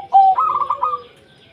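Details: A single zebra dove phrase from a local wild bird, meant to draw other doves into singing: a short steady coo, then a higher bubbling trill of beaded notes that fades out.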